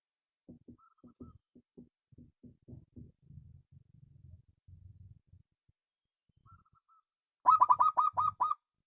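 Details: Local-type zebra dove, perkutut lokal, praised for a special voice; soft low rumbling and scattered knocks fill most of the clip before a loud burst of about seven clipped, harmonic-rich cooing notes near the end.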